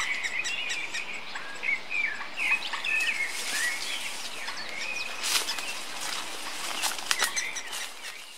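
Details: Young great spotted woodpecker being fed by a female in Westfalenpark Dortmund on 3 June 2013, giving an insistent stream of high, squeaky chirps and chatters, rising in bursts as food arrives, over a steady outdoor hiss.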